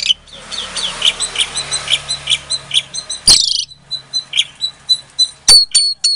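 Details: Captive-bred Asian pied starling from Klaten, Indonesia, singing as a lure to provoke silent starlings into answering: a run of short whistled notes, roughly one every half second, then sharp harsh bursts near the end.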